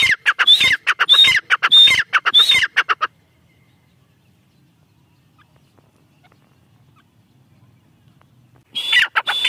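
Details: Female black francolin, called teetar, giving a short burst of loud, harsh notes with a high whistled start and falling end, then nearly six seconds of near silence before calling begins again.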